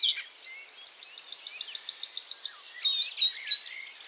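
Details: Icterine warbler in song between caterpillar catches. A rapid, evenly repeated ticking series gives way to a drawn-out buzzy tone and two looping whistles.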